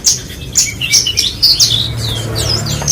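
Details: Branjangan bush lark delivering quick, sharp chirps and downward-slurred whistles in a lively, uneven series, backed by a faint low droning hum.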